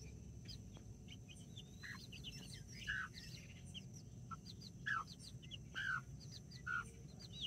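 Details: Two mother hens tending nine backyard chicks, including five Brahma, October 24th 2024: four distinct, mid-pitched hen clucks in the second half, spaced about a second apart, over constant high chick peeping.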